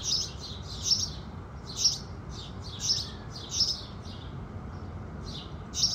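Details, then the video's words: Morning chorus of house sparrows greeting the rising sun: sharp, high chirps in short bursts about once a second, some doubled, against a quiet hiss. "Sparrows Singing"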